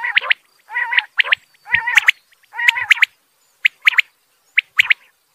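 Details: Quail, male and female calling: harsh nasal buzzy notes alternating with crisp, high clipped notes in twos and threes, then a run of sharp single and paired notes.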